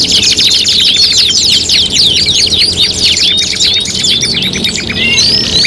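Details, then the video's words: Canary song from a five-in-one tutoring mix used as competition material: dense, overlapping high trills and rapid buzzy rolls sweep up and down without pause, with several singers layered at once. "MASTERAN KENARI MATERI GANTANGAN LOMBA 5 IN 1 | CANARY SINGING"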